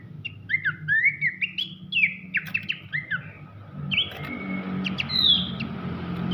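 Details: Abbott's babbler, used as a master song for training champion magpie robins: a melodious run of clear whistled notes, slurred up and down, in quick phrases, then longer high whistles. A steady faint hum and low rumble sit underneath.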